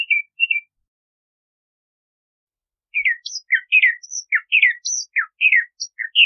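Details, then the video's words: Two short downslurred whistles from a Bahama mockingbird, then a long silence, then a burst of varied song: high squeaky notes mixed with lower, falling chirps in quick succession. "Bahama Mockingbird Song! Bahama Mockingbird Voice! - Sinsonte De Bahamas Canto - Mimus Gundlachii"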